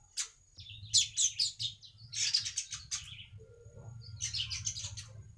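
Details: Baya weaver song played as a lure for other weavers: bursts of dense, buzzy chattering notes in three phrases separated by short pauses, over a steady low hum.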